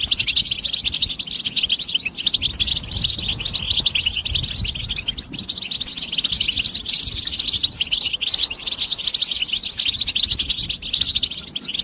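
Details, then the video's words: Stimulation song of the European goldfinch, known as بتبتة: an endless, fast jumble of sharp, sparkling chirps and trills, sustained evenly for nearly twelve seconds over a quiet low hum. "بتبتة حسون الشوك goldfinch stimulation"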